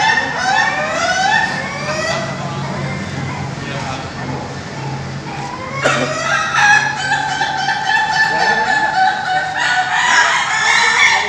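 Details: Bogor pen full of Ayam Ketawa, the Indonesian laughing chicken, at a group training session. Drawn-out crows with rippling stacked tones rise and overlap, renewed sharply around the middle and near the end, over steady crowd murmur.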